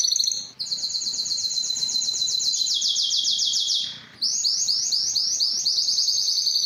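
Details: A Spanish timbrado canary delivers a long, continuous rolling trill that drops slightly in pitch midway, pauses briefly near the fourth second, then resumes with a brisker trill of distinct repeated notes.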